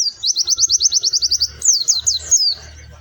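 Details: White-eye, a kept songbird, singing: a fast rapid series of high thin trilled notes, about fifteen in quick succession, followed by a few higher sweeping slurred whistles, with faint low background noise.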